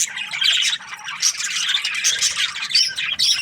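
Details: Several budgerigars from aviary breeding pairs chirping at once, a steady tangle of bright twittering notes and scratchy squawks that never pauses across the whole stretch.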